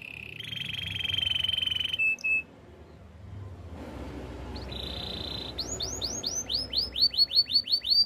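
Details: Canary singing for training: a steady rolling tone and a short chip, a quiet pause, another flat roll, then fast repeated curved whistles growing louder.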